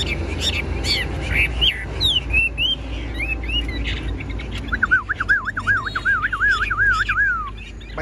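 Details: Caged, fully tame Chinese hwamei of the 'bánh tẻ' stage, with a broad fanned tail, singing loud whistled phrases that slur up and down, ending in a long wavering trill held for nearly three seconds over a low background hum.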